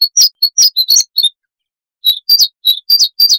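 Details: High warbled phrases from a Siberian rubythroat, a small insect-eating songbird: a jumbled series of sharp slurred notes, a second of silence, then another run of evenly spaced bright chirps. Noise reduced.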